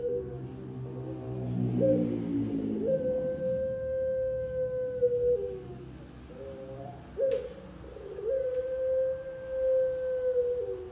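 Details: Pelung turtle dove of top and middle competition class, owned by Central Java breeders, producing long sustained level coos with a falling tail, separated by a short stutter, over low room noise.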